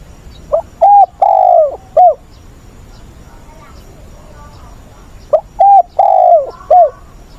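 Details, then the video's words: Spotted dove decoy voicing the stressed wild-caught style (giọng bổi ức chế) for training young caught birds, 20/8; two identical four-note coo phrases about four seconds apart, each with a long sliding third note, quiet between. "Chim cu mồi giọng bổi ức chế"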